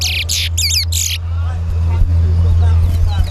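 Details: Large-billed Seed-Finch (towa towa bird) at a bird-singing competition at Sheriff Street bird ground, Guyana, gives a quick burst of bright, warbled whistles for about a second; engine-like hum, crowd murmur and counting voices underneath.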